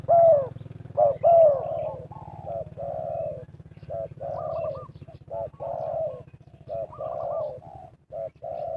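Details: Spotted doves cooing while wild birds are lured for trapping. A loud throaty coo is followed by overlapping phrases from several birds, each a short note then a longer, wavering coo, over a constant low drone.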